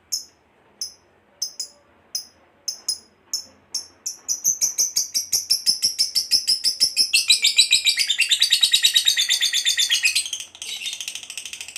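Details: Lovebird ngekek, the long chattering call prized by hobbyists and used as a lure for other lovebirds: a few spaced sharp chips, then a building run of quick buzzy pulses growing louder and lower before breaking off near the end.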